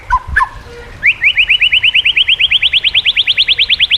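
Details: White-rumped shama song for training shamas and for coaxing reluctant ones to sing. A few short notes open into a long, fast series of bright, upslurred whistles, about three per second, rising slightly in pitch.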